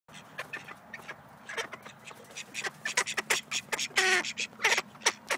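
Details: A pair of pet Snowy Call ducks (domestic duck) give loud, raspy quacks in quick bursts, some harsh and nasal, coming irregularly about once or twice a second over a low background hum.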